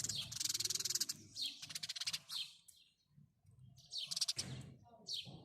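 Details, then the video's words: House sparrow chirping in quick bursts: rapid runs of high, dry chirps, then a pause and more clustered chirp series, with a soft low rumble underneath. "house sparrow birds call | house sparrow sound | house sparrow chirping"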